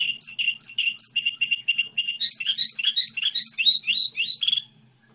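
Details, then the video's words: Goldfinch hybrid delivering its song model: a series of evenly repeated clear chirps, then a rapid sequence of rising, liquid twitters before falling silent, over a soft background hum. "Hibrid sticlete ,model de cântec (Goldfinch hybrid)"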